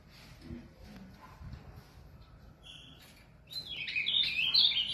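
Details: Pet Ultramarine Grosbeak from São Paulo, Brazil, bursts into a rich, quick warbling phrase of high, sliding notes after a quiet start with faint background sounds.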